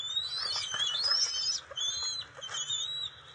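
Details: Bald eagle family at their nest, 27 June 2021, as the female brings fish to the eaglets; loud, thin, high whistled chittering notes, rapid and uneven, in two bursts of about one and a half seconds each.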